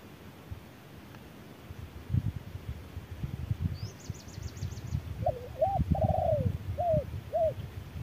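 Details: Wild spotted dove answering an electronic decoy under harsh noon sun. Several minutes of low outdoor noise, then a brief high thin trill, followed by a short run of soft rising-falling coos near the end.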